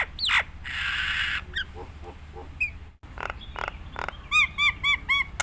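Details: Nias hill myna singing to train other mynas: a swooping whistle, a harsh buzzy squawk, scattered clicks, then a fast series of short ringing whistled notes.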